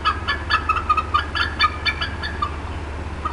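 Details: Bald eagle mother at the Decorah North nest, agitated in the late afternoon of 18 April 2016, gives quick clucking notes, short high chips tumbling in an uneven run, then tailing off against a constant low background drone.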